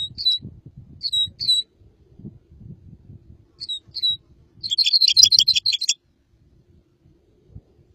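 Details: Red crossbill song: paired short whistled notes sliding downward, repeated several times, then a one-second burst of quick high chirps over a steady low rumbling background.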